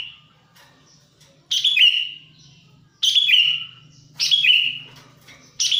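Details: Sooty-headed bulbul lure recording: loud, harsh chattering calls that slur down into a sliding tail, repeated roughly every one and a half seconds, with a soft low hum between.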